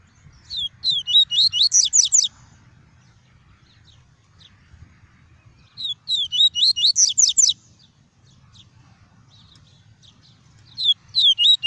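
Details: Caged double-collared seedeater singing its pure tuí tuí song, used to warm up other seedeaters and teach young birds: three bursts of rapid, high, twittering notes, each about two seconds long, over a faint low hum.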